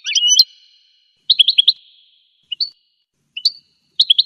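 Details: Scattered goldfinch notes: a buzzy twittered phrase, then small groups of sharp high chirps and single tweets separated by short silences.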